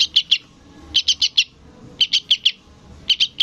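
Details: Begging sooty-headed bulbul chick calling its parent: tight runs of three or four shrill, scratchy chirps repeated about once a second, steady and insistent.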